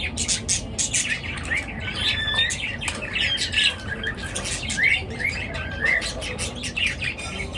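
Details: Morning bird chirping from a flock: many overlapping short squawks and chirps with a few bright whistled upsweeps, calling continuously at a steady level over a low background rumble.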